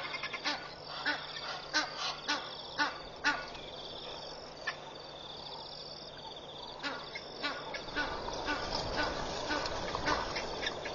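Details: In early morning at Pete's Pond, Mashatu Game Reserve, Botswana, on August 31, 2013, Egyptian goose parents give harsh honking alarm calls about twice a second, then a dense clamour with guineafowl alarms, as 20+ marabou storks approach their goslings.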